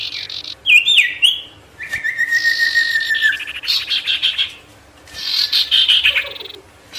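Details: Ashy tailorbird singing to agitate wild birds nearby: twisting whistles, a long level whistled note, then stretches of harsh buzzy rattling trills separated by a short pause.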